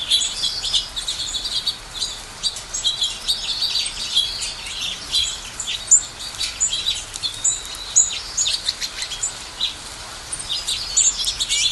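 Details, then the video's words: Many small birds chirping together in a continuous high-pitched chorus of quick tweets and twitters, with a few sharper notes standing out and no other clear sounds. "Birds chirping sounds"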